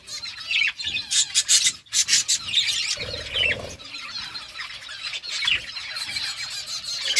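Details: Birds eating food chirp in rapid, choppy series of high, harsh notes. Softer warbling twitters follow, with a short low rumbling patch in the middle.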